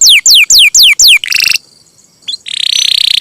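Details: Champion canary with a long roll, heard on a songbird training master: five clear down-slurred whistles in steady sequence, a brief buzzy burst, a quiet gap, then a high rattling roll.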